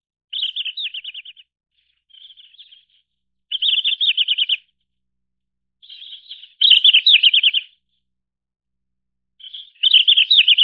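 Red-flanked bluetail singing short, high phrases of six to eight quick, slurred notes, roughly every three seconds, some opening with a soft note. Nothing else is heard.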